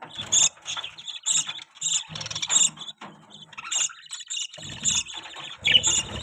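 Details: Pet budgerigar chirping in bursts of high, scratchy chirps mixed with chattering warbles, loud and fairly continuous with brief gaps, over rustling background noise.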